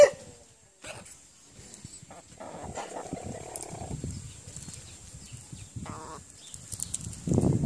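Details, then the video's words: A 10-month-old Brahma rooster gives one deep, loud, hoarse crow of over a second, with a low rumble and scattered thumps around it. "Brahma rooster crowing"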